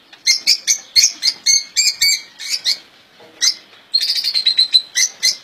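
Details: Pet European goldfinches kept in a cage, called ghandour: bright high twittering phrases of quick chirps, a short gap, then a buzzy rapid trill mixed with sharp tweets.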